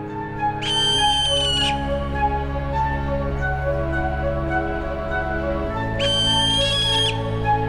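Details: Barn owl in Poland giving its mating call, likened to the screams of murder victims: two harsh, rasping screeches, each about a second long and five seconds apart, over a steady low musical drone.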